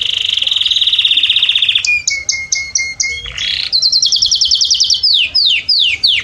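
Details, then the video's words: Canary singing to excite males and females into mating: an opening fast rolling trill, then evenly spaced short notes over a low steady tone, a buzzy burst, a rapid high trill and a series of repeated down-sweeping whistles. "اقوى تغريده كناري لتهيج الاناث والذكور على التزاوج"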